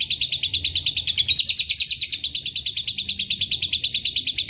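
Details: A rapid, shrill ngekek trill from a lovebird with Cililin and canary phrases. The tone briefly jumps higher and brighter around one and a half seconds, then settles back.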